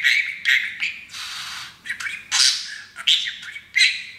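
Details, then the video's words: A young male pet parakeet chatters while practising learned phrases, happy on his new playground. He gives bursts of harsh, squawky, buzzing syllables, including one long raspy stretch, repeated in quick succession indoors. "TALKING Parakeet"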